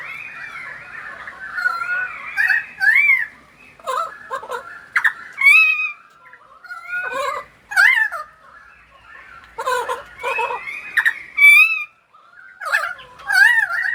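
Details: A pied currawong sings in the rain in Sydney, rich, gurgling phrases of slurred, wailing whistles that swoop up and down, delivered in bursts every second or so against a quiet background.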